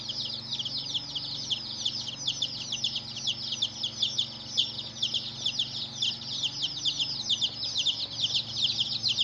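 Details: Colored baby chickens chirping as a crowd: rapid, shrill, falling peeps packed tightly together without pause, over a faint constant low hum.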